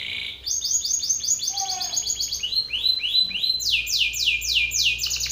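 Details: Belgian canary male singing forcefully at another male: rapid repeated downward whistles merging into a rolling trill, then loud high sweeping syllables repeated in a steady series; a faint softer chirp in between.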